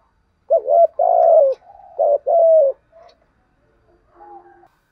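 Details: Decoy spotted dove used to lure wild doves, giving a series of low hollow coos around 600 to 700, two short then a longer drawn note, repeated, with faint softer coos trailing at the end.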